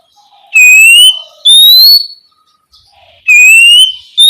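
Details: Night-time Oriental magpie-robin song used to stir juvenile spotted magpie-robins into singing: bright upward-sliding whistles repeated roughly every second, some with a soft low warble between them, in a quiet setting.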